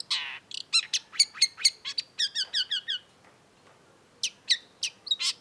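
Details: Cendet, the long-tailed shrike, in full active song. A dense burst of sharp, rapid notes is followed by a brief pause, then further scattered high chirps and whistles. No other sounds are heard.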